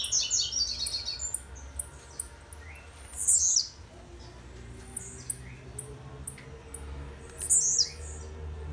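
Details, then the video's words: Rasante-style song of a young blue-black grassquit from Jacarepaguá, Rio de Janeiro, still singing haltingly. High chattering notes open, then evenly spaced thin ticks with loud buzzy sweeping phrases at about three and seven seconds, over a low background hum. "Tiziu RASANTE"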